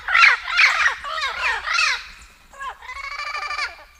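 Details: Turquoise-fronted amazon calling: a series of loud, harsh, rasping squawks with falling slurs, followed by a nasal, buzzy drawn-out note.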